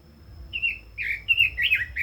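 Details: Red-billed leiothrix, a kept cage bird, singing four or five clear slurred whistled phrases in quick succession, each a short bright warble, growing louder toward the end.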